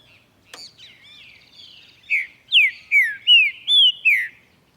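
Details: Male Green-winged saltator (Saltator similis) singing in the morning: six loud, rich whistled notes slurred down and up in quick succession, preceded by a sharp click and faint high twittering.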